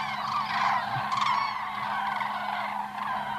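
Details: Cranes calling in flight in 2014, with several strong, rolling trumpet notes close together in the first half-second, then overlapping calls from the flock over a low droning background.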